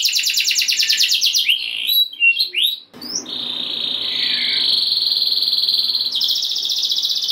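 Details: Canary song for rousing other canaries: a fast pulsed trill, a few scattered chirps, a long steady whistled tone, then a return to a rapid high roll.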